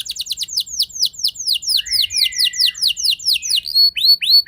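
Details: Canary lure song used to stir other canaries to sing: a steady series of sharply falling high whistled notes, about four per second, with a brief lower slur midway and upward-curving notes at the close.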